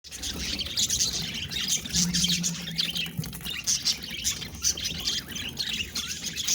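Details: Several pet budgerigars chattering together in a dense, continuous warble of high scratchy notes and clicks, with a faint low steady hum partway through.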